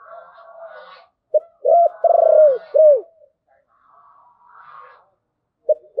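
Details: Spotted dove song in the 'giọng thổ' style, 'bầu' voice: a sharp opening note, a double coo, a rolling trilled coo and a final hooked coo, with faint higher chattering before and after and another opening note at the end.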